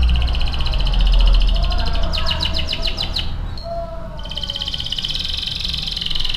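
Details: AF canary training song heard over loud low rumbling noise: a short burst of rapid high chirps, a pause, then a long fast high trill.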